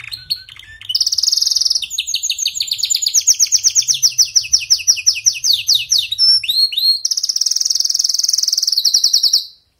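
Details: Canary song for weak singers: a loud continuous performance of buzzy trills and rapid repeated chirps, changing tempo, ending in a sustained high rolling trill before falling silent.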